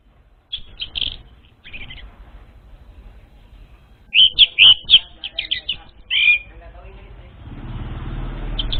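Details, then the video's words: Orange-headed thrush song used as a lure for untrained birds: scattered whistled notes at first, then a burst of quick, varied warbling phrases midway, ending with rising background hiss and noise. "SUARA PANCINGAN UNTUK ANIS MERAH BAHAN"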